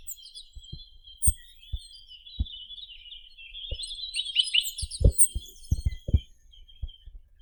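A Chinese nuthatch gives a thin, rapid, chattering trill at a high pitch, with irregular low thumps and knocks beneath it.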